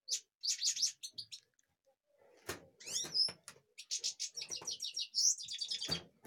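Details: Kashmir goldfinch: rapid, liquid twittering phrases with buzzy notes and a few sharp whistles, broken by clicks and tapping sounds.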